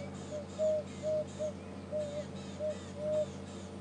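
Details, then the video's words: Emerald-spotted wood dove at Djuma and Arathusa game reserves, on an afternoon safari drive in January 2015, gives soft, low, hollow coos, about seven notes half a second apart, over a steady vehicle engine hum and faint insect buzz. The dove avoids closer approach. "This is the call of the emerald spotted wood dove."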